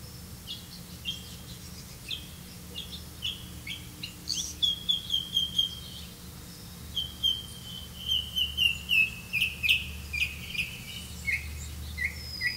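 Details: Black-bellied malkoha caring for nestlings: rapid runs of short, high, slightly buzzy chirps, roughly three or four per second, strongest from the middle onward, over a faint low hum.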